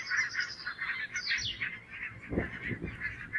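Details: A flock of barnacle geese, alert while grazing as two red foxes draw near, giving a steady chorus of overlapping yelping honks, with a few low thuds toward the end.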